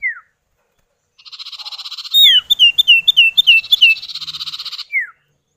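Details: Male and female common iora (sirtu or cipow) calling back and forth, used as a lure for other birds: buzzy trills interrupted by a fast run of about ten bright downslurred chips, ending with a falling whistle.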